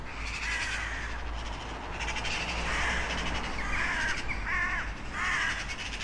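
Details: Crows cawing, a series of harsh, nasal calls repeated at uneven intervals, some with clear banded harmonics, over a steady low rumble of background noise.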